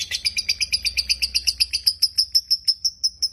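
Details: Dakocan lovebird in full song, used to lure lazy lovebirds into singing: a steady run of about twenty sharp, high chirps, roughly six per second, becoming more even and whistled toward the end.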